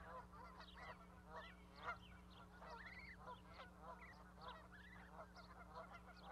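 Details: Goslings sit with their mother on an osprey nest platform at Charlo, Montana, in May 2020. Overlapping goose calls and arched honks come in uneven bursts over a constant low background hum.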